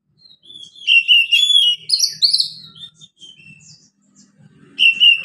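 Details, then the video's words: Oriental magpie-robin in relaxed song, meant to stimulate reluctant birds to sing; varied clear whistles, sliding and warbled phrases, then a short louder whistled burst at the end. "KACER NGEPLONG SANTAI COCOK BUAT PANCINGAN KACER MALAS BUNYI."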